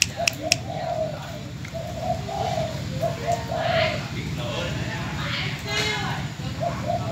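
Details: Low hollow cooing from an old decoy spotted dove in Bến Tre, sold and filmed in farewell, comes in short repeated bursts as a man talks quietly in the background.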